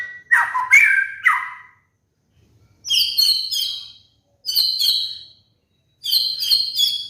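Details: Caged white-rumped shama (murai batu) trigger song for prompting moulting birds to sing: an opening jumble of sliding whistles, then three bright, rapid whistled phrases that drop in pitch, each about a second long with short silences between, over a quiet background.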